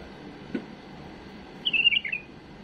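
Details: A domestic bulbul's faultless song, offered as a model for teaching chicks: one brief burst of rapid, bubbling whistled notes after a faint click, over a steady low hiss.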